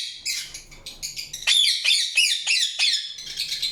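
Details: Indian ringneck parakeet chattering in a quick string of harsh, high chirps, about three notes per second, some sliding down sharply, loud and continuous.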